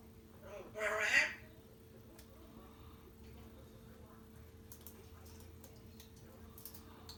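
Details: Pet African grey parrot coughing indoors: one harsh, noisy burst lasting about half a second. Faint clicks and rustles follow over a low room hum.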